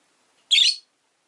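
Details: A single piercing, buzzy chirp from a rosy-faced lovebird housed with four others in a cage by a window, clean against a quiet background.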